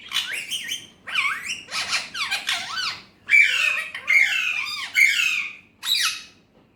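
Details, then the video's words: Alexandrine parakeet, kept as a talking pet, delivering a rapid string of rasping, bending syllables roughly once a second, growing louder and longer toward the end. "Alexandrine Parrot Natural Voice || Mitthu best Talking || Amazing Speaking parrot || Urdu/Hindi"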